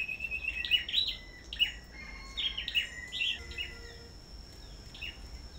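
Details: Black-throated bushtits in a farm singing contest: high chirps and whistled slides that fade after a few seconds into scattered softer notes, with a constant high-pitched hum.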